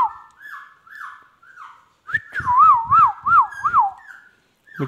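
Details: Talking pet Indian ringneck parrot whistles soft sliding notes, then a loud run of four rapid looping, siren-like warbles over low rustling.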